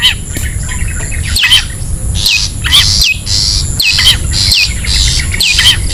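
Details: Wild long-tailed shrike lure sound: hoarse, scratchy bursts repeat about every second and a half. Each burst is joined by short hooked, whistled notes, over steady low rumbling background noise.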